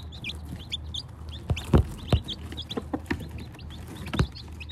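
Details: Large brood of just-hatched chicks peeping rapidly in high, thin, whistled notes, overlapping constantly, with several sharp thumps and taps and a continuous low hum underneath.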